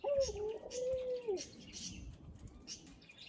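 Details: A captive Barbary dove gives its laughing call, one soft, low, rolling coo of just over a second, dipping and wavering in pitch before fading. Faint rustling and background hiss follow.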